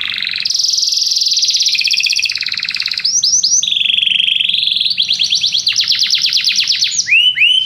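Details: Many canaries sing together in response to music, producing dense, rapid buzzy trills, a steady whistled tone and quick bursts of repeated downslurred syllables that change tour every second or two.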